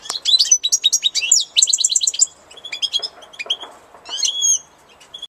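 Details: Springtime European goldfinch song: tumbling high twitters and a neat series of repeated ringing notes, followed by scattered chips and a short rising, whistled phrase near the end.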